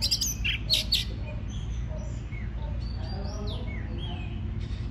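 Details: Oriental magpie-robin singing to spur birds into song; a few loud harsh chirps at the start give way to drawn-out whistled slurs, some falling and some rising, over a low droning hum.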